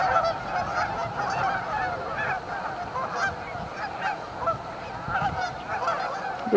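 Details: Canada goose flock staging on Amber Trails Lake, Winnipeg, giving a softer, more distant wash of honks, with a sudden louder sound right at the end.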